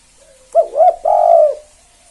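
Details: One 'kuk 2' phrase from a spotted dove used to provoke rival doves into answering: two quick rising hoots, then a sustained, slightly trembling low coo about half a second long.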